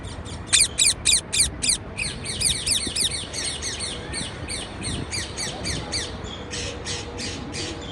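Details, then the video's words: Parakeet chirps in a fast run: a few loud sharp notes open, then a quicker stream of thinner, overlapping chirps continues over a constant low hum. "Parkeet Birds Sound"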